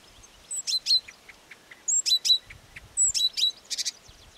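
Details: Marsh warbler (Acrocephalus palustris) song: quick bursts of high, sharp chirps and thin whistles, grouped in short phrases about every second, with faint low rumbling beneath.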